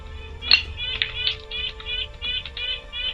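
Red-breasted Nuthatch giving a string of nasal, tinny beeping notes, roughly three per second, over a steady low electrical hum.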